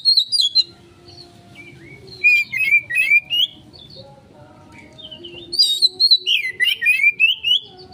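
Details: Oriental magpie-robin song used as a lure, bursts of quick whistled and twisting notes separated by quiet gaps, the phrases rising and falling, with a low steady hum behind.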